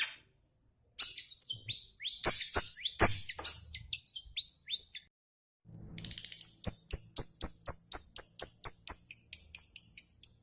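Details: Long-tailed shrike singing a burst of varied chirps and slurred whistles, then, after a short pause, a quick run of high, thin, ticking notes.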